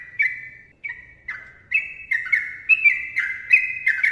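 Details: Sooty-headed bulbul, a chattering bird singing a long rapid song: a series of clear whistled notes, each sliding slightly downward, delivered in quick succession with short gaps and faint low background hum.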